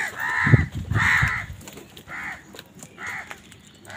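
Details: Amid a fight with wild birds over food, crows give hoarse, drawn-out caws at uneven intervals, with dull low thumps under the first two calls.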